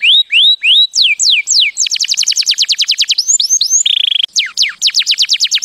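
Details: Canary song, described as mating song: rising whistled upslurs, then fast repeated descending sweeps, a buzzy trill near the end, then more rapid downslurred notes, loud and continuous.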